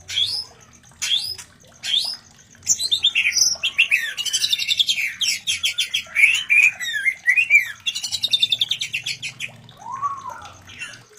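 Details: Breeding white-rumped shama, a call played to stir other shamas into mating; varied whistles and rapid chattering phrases sweeping high, with a lower slurred note near the end.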